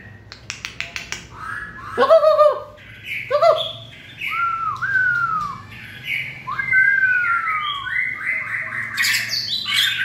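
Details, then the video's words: White-rumped shama in fiery peak-form song, season 2020; a varied run of clear whistles, sharp chips and falling slurred notes, phrases changing every second or two over a faint low hum. "Cọp Biển rực lửa (shama bird)"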